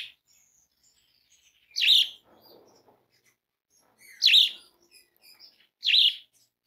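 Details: Asian pied starling lure call, used to stimulate other starlings to sing, of loud, harsh, chattering calls in three bursts about two seconds apart, with a few soft clicks and quiet notes between.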